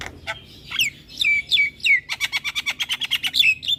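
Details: A Javan myna singing actively with head-bobbing gives a few sliding whistled notes, then a rapid even series of chirps, about three per second.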